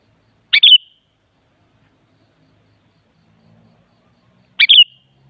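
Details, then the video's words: Sooty-headed bulbul song used to prompt another bulbul to reply: two identical short, liquid phrases about four seconds apart, each a quick downward-sweeping burst ending in a brief whistled tail, with near silence between. "Suara Burung Kutilang Coba Putar Saja Pasti Bunyi Jadikan Kutilang Gacor Nyaut"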